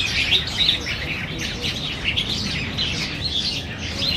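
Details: Black bulbuls feeding competitively on banyan figs at Niaosong Wetland Park, 4 November 2015; a thick chorus of quick, high, scratchy chirps repeating without a break.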